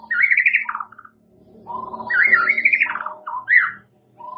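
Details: White-rumped shama kept as a songbird, murai batu, delivering varied fluty warbled phrases, rising and falling, with a faint steady low hum indoors between phrases.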